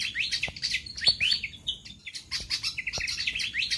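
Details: Pied fantail lure, played to entice wild fantails down: softer, steady cascades of high chirps and quick upward-slurred notes, with a short flat whistle midway and a fluttering rhythm.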